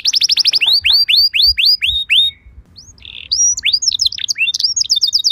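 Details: Canary song serving as a lure for other canaries to respond: a fast trill, a row of rising curved whistles, a short pause with a buzzy note, then varied rapid chirps.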